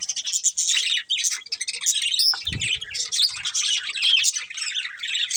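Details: Budgie breeding pair giving a nearly continuous stream of bright, buzzy chirps and warbles, with a short thin whistle and a soft thump in the middle.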